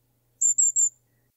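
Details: Golden-crowned Kinglet in winter, as daylight fades, giving three very high, thin, hissing see notes in quick succession, a last call to group the flock together before roosting; otherwise quiet.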